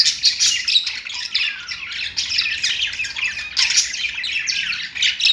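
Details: Perched pet budgies keep up a nonstop twittering warble: buzzy, grating chirps packed closely together, with brief swells of louder chatter and a soft hum in the background.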